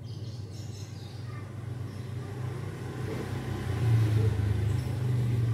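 Low engine rumble of a passing vehicle that builds and revs toward the end, with faint background noise and no clear animal voice.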